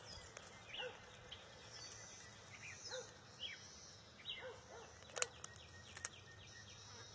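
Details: Bald eagle eaglet at a wild nest of the NCTC pair on June 23, 2021, competing with its mother over a fish, which she grabs and it steals back. About nine faint, short, rising chirps with harmonics, unevenly spaced, over a steady background hum.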